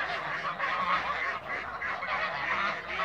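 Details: Several Toulouse geese in a backyard, giving brief, harsh, cackling honks in quick pulses that merge into an unbroken babble.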